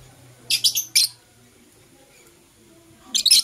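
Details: Morning chirping from Blue Opaline and Parblue Euwing Opaline lovebirds: two tight clusters of loud, shrill, rasping chirps, three quick notes, then a pause of about two seconds before another rapid burst, with a low hum beneath.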